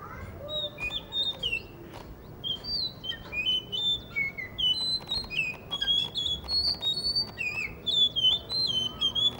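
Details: Blue whistling thrush in Hunza, singing from in front of a guesthouse being built near a cafe: a lively stream of high, fluty whistles, each note bending up or down. Sharp clicking and knocking noises punctuate the song throughout.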